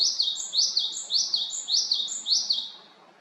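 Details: Japanese tit in Haenam, South Korea, repeating a crisp, high-pitched two-note phrase about six times in three seconds, fading at the end.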